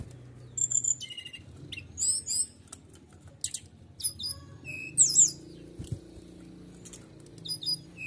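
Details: Canary delivering 'nembak' volleys to provoke other birds: short clusters of sharp high chirps and buzzy rattles come in bursts every second or two, with a faint low hum beneath.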